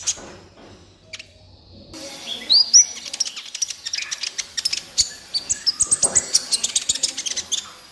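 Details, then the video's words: Sunbird (kolibri ninja) in energetic 'gacor' song, recorded as a master track to train and stimulate captive birds: quiet opening, then rapid high-pitched chirps and short whistled slurs repeated densely through the second half. "MASTERAN BURUNG KOLIBRI NINJA GACOR COCOK BUAT PANCINGAN KOLIBRI NINJA MALAS BUNYI DAN BAHAN"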